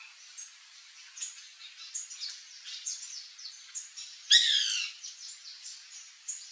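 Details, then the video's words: White Woodpecker (Melanerpes candidus) in a backyard with fruit trees gives one loud, harsh, chattering burst of about half a second, against faint high chirps from other birds. "CANTO do PICA-PAU-BRANCO (MELANERPES CANDIDUS), WHITE WOODPECKER, BIRRO, CRI-CRI"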